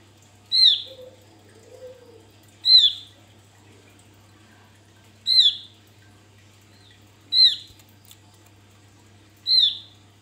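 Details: Javan grey-throated white-eye, male, singing as a lure: five loud, clipped, falling high notes at intervals of about two seconds, with one or two low soft whistles early on and otherwise quiet gaps.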